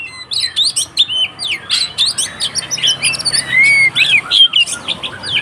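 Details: Kacer (Oriental magpie-robin) singing its excited fighting song to goad other kacer: dense bursts of high chips and whistles, a clear rising and falling whistle near four seconds, and a steady low hum beneath.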